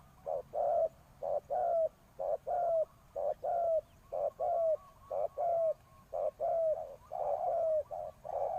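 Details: Ground decoy spotted dove repeating rhythmic low coos for several seconds, each cycle a short note then a longer downward-curving one, roughly one per second.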